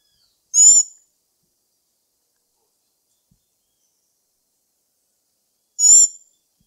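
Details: Black-backed tanager (Stilpnia peruviana) giving two short, harsh, high buzzy notes about five seconds apart, with silence between them.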